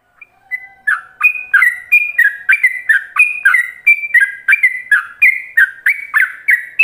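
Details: Yellow-vented bulbul song in the rapid ropelan style, a master lure for other bulbuls to copy: a soft low opening whistle, then a fast string of clear, bubbly whistled notes hopping between two pitch levels, about three per second.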